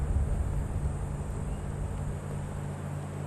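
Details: Deep, steady vehicle rumble with faint hiss above it and no animal sound.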